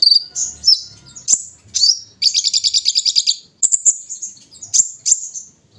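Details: Kolibri ninja sunbird, kept caged, singing during morning dewing: thin high notes, then a rapid even series of buzzy pulses over about a second, followed by piercing chirps and short twitters.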